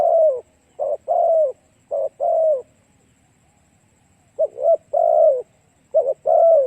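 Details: Spotted dove calling to attract other doves: low, soft coo phrases, each a clipped double note then a longer sliding croon, several phrases in quick succession with a pause of about two seconds midway.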